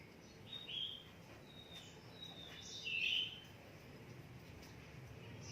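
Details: Oriental magpie-robin kept in a cage for song contests delivers brief high whistles, with one stronger warbled phrase at about the three-second mark. A faint steady hum runs underneath.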